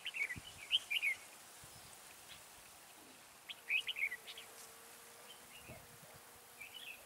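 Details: Red-whiskered bulbul used as a decoy at a trap. Two short bursts of bright, warbled notes come about three seconds apart, with quiet background noise between them.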